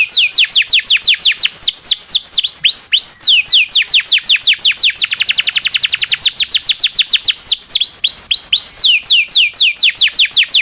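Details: Local canary singing a long, rolling tutor song for training shamas, magpie-robins and leafbirds: dense runs of fast, high downward-sweeping whistles repeated in rapid series, with brief accelerating rolls, continuous throughout.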